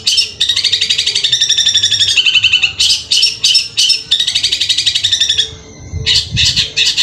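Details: Gacor long-tailed shrike from Madura in tembakan kuntilanak and bessetan song: long fast chattering trills and harsh buzzy runs, a short gap, then more rasping bursts, a faint low rumble underneath.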